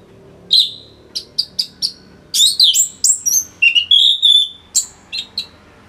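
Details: Varied, rapid song of a caged Orange-headed thrush from Singaraja, Bali, played to train other songbirds: clipped chirps, then a continuous tumbling mix of whistles and squeaks at varying pitches.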